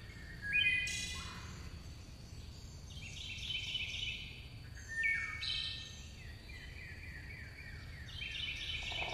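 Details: Singing chickadees give scattered bursts of buzzy, grating notes, several opening with a sharp high spike then settling into rasping mid-high tones, spaced a few seconds apart against a constant thin high tone and low hiss.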